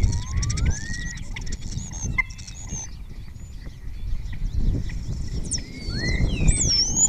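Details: ['Close-range spotless starling song from Cabañeros National Park, other starlings answering, imitations of orioles and kites in the repertoire. Smooth upslurred whistles rise and fall between faint clicks, over a soft low rumble.']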